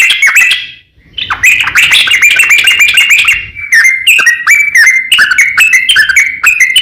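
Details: Yellow-vented bulbul song used as a lure to make sluggish rival bulbuls answer: bubbly, chattering phrases of quick slurred notes, a brief pause near one second, then a steady run of short warbled notes.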